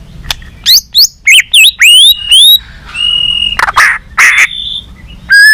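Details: Murai batu, the white-rumped shama, singing a balak 6 lure song for bird catching: a string of short rising whistles, a held level note, harsh noisy bursts, and a final clear whistle.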